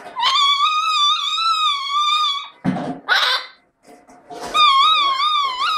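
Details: Chestnut-fronted macaw (Ara severus) giving a long, steady, tonal call for over two seconds, a short harsh rasping burst, a brief pause, then another long wavering tonal note.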